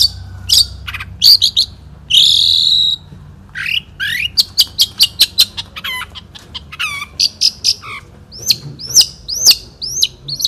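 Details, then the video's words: National champion Long-tailed Shrike singing in the 'satu titik' style in 2016: a long, varied stream of sharp whistles, buzzy phrases, rapid clicking runs and, at the end, repeated hooked high whistled notes. "KICAU BURUNG CENDET JAWARA NASIONAL GAYA SATU TITIK 2016"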